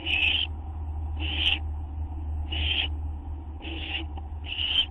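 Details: Owl waiting for a gopher or vole treat, 12:38 AM on 8 September 2011: five harsh, hissing screeches at roughly one-second intervals, with a strong low rumbling hum throughout.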